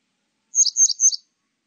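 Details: Grey wagtail giving three quick, sharp, high-pitched chirps in close succession, each with a thin, slightly buzzy edge, against a silent background.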